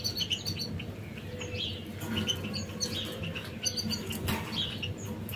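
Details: Canaries working on the construction and finishing of their nest utter scattered sharp, high chirps and short tweet groups, spaced irregularly, with occasional rustles and a low hum underneath.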